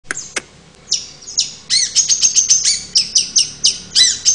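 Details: Long-tailed shrike singing a rapid, varied run of high chirps and squeaky slurred notes. After a few scattered opening notes it becomes a dense run of about four notes per second.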